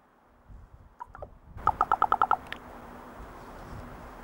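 A common raven gives a rapid, hollow knocking rattle of about eight notes in under a second, after a few soft notes, over a low steady hum.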